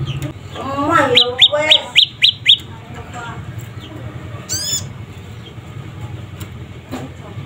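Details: Juvenile prinia, the bird known locally as prenjak lumut or prenjak pyeng, calling a quick run of six thin, high chirps in about one and a half seconds, with lower warbling notes beside them and a brief buzzy sound afterwards.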